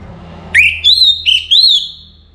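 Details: Caged orange-headed thrush in pre-morning song: a rapid string of four loud, rich whistled notes, rising and wavering in pitch, closing with a looping warble.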